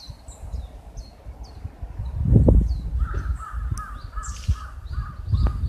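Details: Birds call under cherry trees in full bloom in Busan, South Korea, on 30 March 2015, an unusually hot spring day. Sharp, high, downslurred chirps repeat throughout, a quick series of short mid-pitched notes starts partway through, and low rumbling noise runs underneath.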